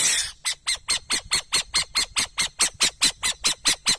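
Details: Owl calling: the end of a rough screech, then about eighteen clipped breathy rasps, delivered rapidly and rhythmically, near four each second, against a quiet background.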